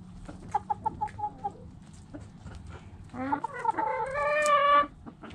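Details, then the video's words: Backyard chickens: spaced clucks from hens, then a rooster crows, starting with stuttered notes and swelling into a long, steady, ringing crow that cuts off after about two seconds. "Hens Clucking Roosters Crowing!"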